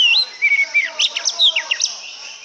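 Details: Oriental magpie-robin song: a rising whistled note and a flat sustained whistle, then a rapid run of sharp, varied chirps and slurred notes.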